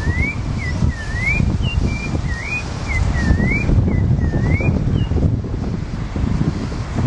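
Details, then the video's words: A thrush (sabiá) singing in Brazil: a series of clear, fluid whistled notes that slur up and down, sung in short phrases, over a loud, steady low rumble of wind or passing traffic. "O Canto do Sabiá"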